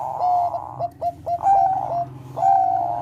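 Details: Zebra dove of the Bangkok type in melodious song said to stimulate breeding condition: a held coo, a rapid run of short staccato coos, then another sustained even note, all at one mid pitch above a low hum.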